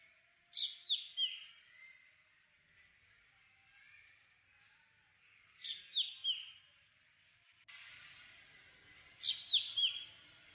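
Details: Black drongo (Dicrurus macrocercus) repeating the same brief phrase three times, several seconds apart: a harsh high burst followed by two or three sharp descending whistled notes. A steady hiss of background noise rises for the final phrase.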